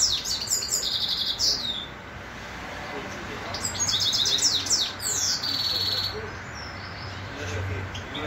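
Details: Grey-crowned goldfinch in Khujand delivering quick, high, jangling twitters and buzzy trills in two main bursts, with a softer lull between, over a faint low hum.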